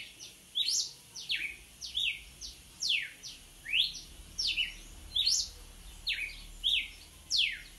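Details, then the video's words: A red-cowled cardinal delivers an energetic song of sharp, bright downward-sweeping whistles, paired notes and slurred phrases coming in a steady stream, nothing else prominent behind it. "Galo de campina puro luxo açoitando muito!!"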